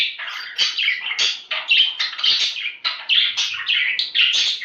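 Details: Budgerigar chatter played to encourage mating: a quick run of bright, sliding chirps and squeaky notes, many dipping then rising, delivered in close succession with clean, quiet gaps between bursts.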